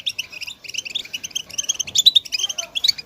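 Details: Short burst of European goldfinch chatter for encouraging silent birds to sing: busy, high, clipped twittering notes with a few sharper whistled squeaks near the end.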